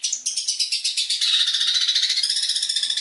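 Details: Long-tailed shrike training song, here a rapid harsh rattling buzz of evenly repeated pulses, about four per second, continuing throughout.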